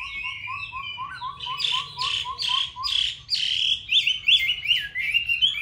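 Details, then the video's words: Kept Chinese hwamei, Hanoi, Vietnam: opens with a row of soft low piping notes repeated quickly, then bursts into loud, full whistled phrases with swooping slurs and bright trills. "Mi đẹp vn9966. Giọng hay"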